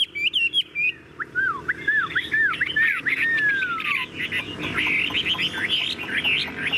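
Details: Chinese hwamei, a tame cage bird, sings a varied song. Opening whistles lead into a series of descending slurred notes and a long falling whistle, then a dense, rapid warbling stream of high notes.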